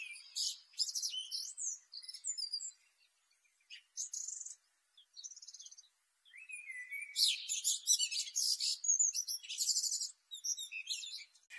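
A black flycatcher sings a lively, high-pitched jumble of sharp chirps, trills and twittering phrases, delivered in rapid bursts separated by short pauses.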